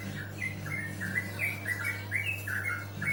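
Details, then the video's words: Bird calling in short, harsh chirps that step slightly up and down, about three per second, above a steady low mains-like hum. "Suara burung merdu"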